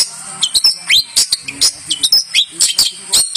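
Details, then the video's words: Long-tailed shrike, a champion bird's song used as a training model: quick, varied sharp rising whistles, thin slurred notes and scratchy chattering bursts, several each second, all high-pitched. "Masteran Burung Cendet Juara"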